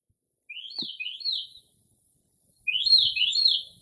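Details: Northern mockingbird singing late at night in early spring outside a home, mimicking other birds: two bursts of rapid, sweeping high chirps rising and falling, separated by a short silence, in a quiet setting.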